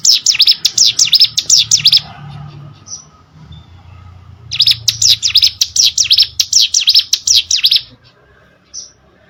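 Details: Hill prinia (cigun) song used as training audio for competition birds: two bursts of rapid, sharp V-shaped chirps, high-pitched and repeated several times a second, separated by a quiet pause with a low hum.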